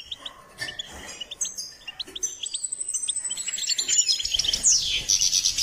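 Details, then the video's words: Goldfinch singing as it is trained: scattered high chirps, then a long thin whistle sliding slowly downward amid accelerating twittering, ending in a loud, rapid burst of notes. "Step by step enhancing the goldfinch’s singing"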